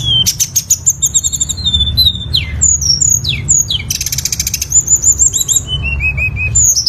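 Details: Lesser shortwing in a long varied song: rapid high trills, repeated downward-sweeping whistles, a harsh buzzy burst, level whistled notes, and a descending series of short whistles, over low background hum.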